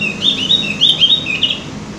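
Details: Opior jawa, or cucak gentong, giving a rapid string of sharp, high twittering notes with short upward slides, repeated about six times within two seconds; a soft low background hum underneath.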